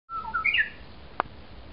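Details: Japanese bush warbler that returns every year, singing loudly in the early morning in a neglected home garden in Miyamae Ward, Kawasaki, Kanagawa, Japan. A level whistle slides into brief higher rising notes. A single sharp click follows.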